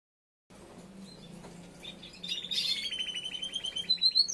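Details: Young male Timbrado canary after its moult, practising its song: quiet at first, then a bright burst of notes leading into a fast, even rolled trill that falls slowly in pitch; a low hum runs underneath.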